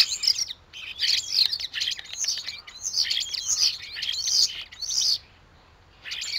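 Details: Common starlings bickering at a garden feeder in Théding on 14 December 2022 during winter: dense, continuous harsh chattering and squeals for about five seconds, a brief silence, then the chatter resumes.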